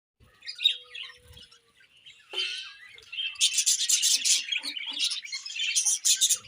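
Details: Budgerigars during morning feeding: after a quiet start with a few faint chirps, dense high warbling chatter and buzzy, scratchy chirps build from the middle onward and keep going to the end.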